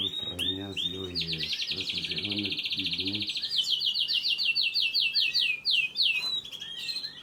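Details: Baby canaries begging during feeding, a fast insistent stream of high chirps that grows into a steady rapid train, with a human voice talking beneath it during the first three seconds.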